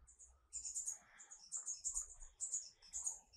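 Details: Marvelous Spatuletail, a Peruvian endemic hummingbird, gives dense, sizzling, very high twittering bursts about twice a second over a faint low rumble and soft mid-range background noise.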